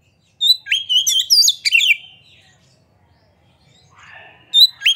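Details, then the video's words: White-rumped shama singing with tail spread, played to stir other shamas into song; a rapid volley of rich whistled notes and clipped chirps, a quiet pause with a faint low warble, then a fresh bright burst. "Pancingan Suara Kacer Gacor Buka Ekor! Buat Kacer Lain Pasti Ikut Emosi Gacor Ngobra"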